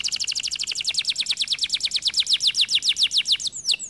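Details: Canary singing in full voice, a sustained fast trill of rhythmic high chirps lasting over three seconds, finished by two sharp slurred whistles.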